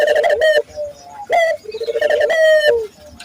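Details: Local Barbary dove cooing hard, used as a lure to get local doves cooing: a clipped opening note followed by a long, low, vibrating coo that falls away at the end.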